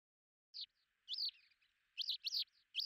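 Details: Lesser short-toed lark recorded in July 2019 at Belchite, Zaragoza province, Spain: short high chirps, then clustered bursts of two or three bright, slurred notes, separated by brief pauses.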